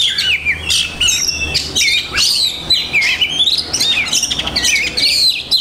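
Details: Caged Oriental magpie-robin (kacer) with a busy imitative song: bursts of chirps, buzzy trills and clear whistled sweeps following one another rapidly, loud and near.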